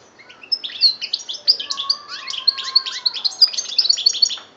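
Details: Algerian European goldfinch, 2013, pouring out a rich twittering song of sharp high notes and quick trills, with a softer, lower drawn-out tone running beneath the middle section.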